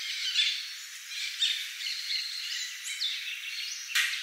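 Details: Harsh, grating squawks from macaws at Manuel Antonio, Costa Rica, repeated roughly once a second with a few thinner, higher rising notes mixed in and a sharp knock near the end.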